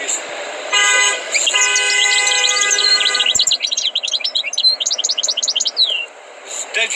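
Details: Tutored European goldfinch: a steady harmonic drone sounds first, then the bird breaks into quick, high, chattering twitters with sweeping notes for several seconds.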